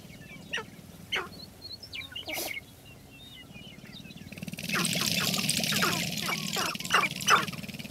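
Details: Sharp-tailed grouse during spring display, with sharp clicking and rattling bursts that quicken in the second half under a hissing broadband noise, and faint chirps from other birds early on.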